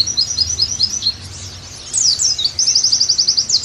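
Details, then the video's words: Oriental white-eye song used as training material for pet pleci: a thin high twitter, softer in the middle, ending in a fast, even trill of rapid repeated notes. "Terapi + Masteran Agar Pleci Gacor Kembali"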